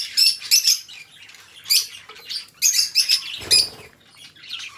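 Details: Chattering warble of two pet budgerigars; buzzy bursts with bright squeaky whistles recur every half second or so, and a dull thump sounds midway.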